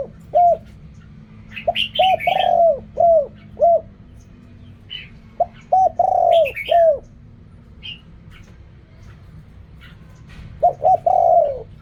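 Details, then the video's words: Three phrases from a spotted dove in the 'riak kham, khu kham' song style: clipped low coos around a long, slurred central note, while small birds chirp and twitter higher up between the phrases. "เรียกคำ คูคำ อกร่อง เสียงนกเขาใหญ่"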